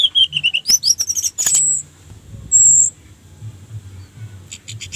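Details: Song of an orange-headed thrush played to prompt others to sing: wavering mid-pitched warbles, a cascade of high swept notes, two long pure high whistles, then soft clicking notes at the end.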